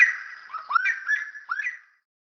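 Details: Slaty-breasted Wood Rail of Brazil giving four quick rising, whistled swoops within two seconds over a ringing, sustained tone; nothing else clearly heard.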